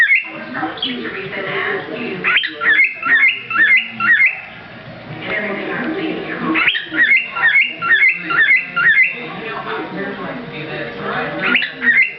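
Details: A male pet cockatiel, one of a pair, sings bright, rising whistles in quick repeated bursts, mixed with harsher chattering notes.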